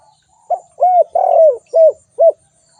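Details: Spotted dove calling: one phrase of five low, arched coos, the third longer and falling, about half a second apart, clear against a quiet background.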